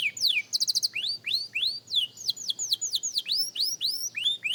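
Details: Beginner canary working on its song gives a quick clicking trill. A steady series of rising-then-falling whistled slurs follows, about three per second.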